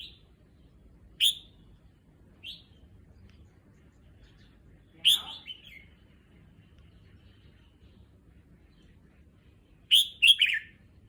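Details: Red-whiskered bulbul kept in a cage, adjusting to a new cage at a new location; scattered short whistled chirps and two brief warbled phrases separated by long silences, with faint low background hum.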